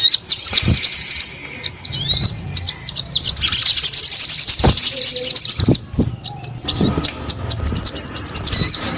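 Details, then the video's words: Loud, lively sogon bird song of looping high chirps that run into a long rapid twittering trill, then resume after a short pause. "SUARA SOGON GACOR"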